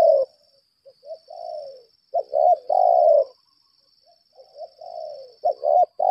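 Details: Decoy spotted dove of the lambung kuk type calling in challenge: low hoarse coos, two clipped notes then a long drawn-out coo, phrases separated by pauses, with a steady high-pitched whine throughout.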